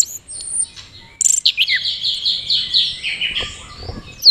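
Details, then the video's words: Orange-headed thrush from Mojokerto in teler courtship display, with a young jockey: a high whistle, then a run of repeated descending slurred notes forming a flowing, rhythmic phrase. "Anis Merah Teler Gacor"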